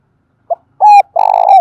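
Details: Decoy spotted dove calling to lure wild birds: a short soft note, a steady mid-pitched coo, then a long vibrating, rolled coo that falls away at the close.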